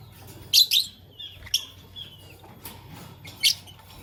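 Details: Lovebirds, Fischer's and masked lovebirds, in the morning: sharp, shrill broadband chirps in short bursts, a double note near the start and single calls later, over a low background hum.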